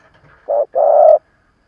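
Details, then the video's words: Spotted dove used as an old decoy to provoke rivals gives a single low phrase: one short coo, then a longer sustained mellow coo, against silence. "Tiếng chim cu gáy mồi già kích bổi"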